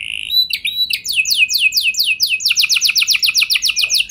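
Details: Canary song used as a lure to prompt other canaries to sing long rolls: bright high phrases of rapid descending sweeps, then a fast even trill of repeated notes about four per second, strong and clear with no other sounds.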